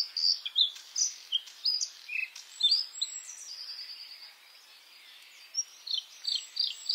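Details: A white-spotted Bluethroat (Luscinia svecica cyanecula) sings in May, a fast, varied run of high, ringing and twittering notes, a brief lull midway, then bright repeated phrases; faint background hiss.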